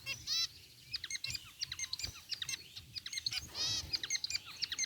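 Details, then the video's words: A flock of zebra finches relaxing in a cage, white and gray birds, giving high nasal chirps and clicking notes in a lively, irregular stream with a few longer buzzy calls. "Cute Zebra Finches in Aviary | Relaxing Bird Chirping Sounds"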